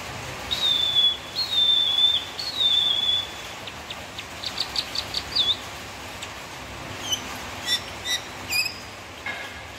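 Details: White-rumped shama (murai batu) song: a series of long, clear, slightly falling high whistles, then quick clicks and sharp chips, with steady faint background hiss.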